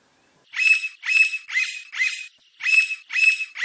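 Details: Blond-crested woodpecker singing a lot in the wild: a rhythmic series of harsh, ringing notes about twice per second, each with a clear whistled core, one short gap midway, no other sounds.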